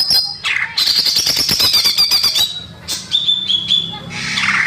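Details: Lure song of the greater green leafbird for young birds, recorded in nature: a fast rattling run of sharp repeated notes sliding into clear, level high whistles, then a buzzy rising phrase.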